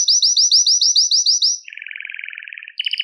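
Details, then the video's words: Belgian canary song for stirring males and bringing females into breeding condition: a run of loud curved whistles, then a soft low buzzy trill, ending with a sharp bright rattle. "Canto Para Esquentar Canário Belga e Foguear as Fêmeas"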